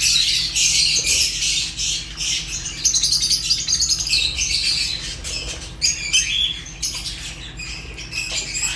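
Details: Fischer's lovebirds giving dense, overlapping high chirps and squeaky chatter, a busy flock-like stream of short notes with no pause and occasional louder bursts.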